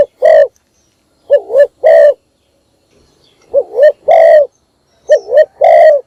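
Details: Spotted dove kept as a decoy, calling in the morning to attract other doves: a long coo, then three phrases of a wobbling double coo followed by a drawn-out hoarse coo, separated by brief silences; loud and clipped.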